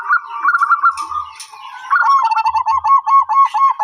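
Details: Zebra dove, a symbol of luck and calm, uttering a fast rolling coo that slows into a steady string of even, repeated trilled notes, backed by scattered high chirps.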